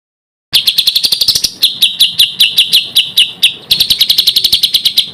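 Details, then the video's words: Small songbird on a contest training compilation delivering quick sharp chirps in rapid bursts, then evenly spaced clicking notes, and again a fast rolling series of high chips. "SUARA BURUNG KECIL TEMBAKAN KASAR"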